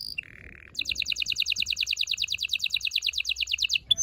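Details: Loud canary song to stimulate mating: a short high note, a low buzzy phrase, then a long even trill of rapid repeated notes and a closing high chirp.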